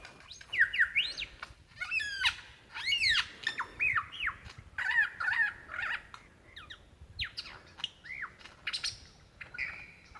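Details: Lyrebird singing to attract a mate, Dandenong Ranges National Park, Victoria, Australia, February 2016; loud clustered phrases of swooping whistles and chattering notes, in bursts separated by short pauses.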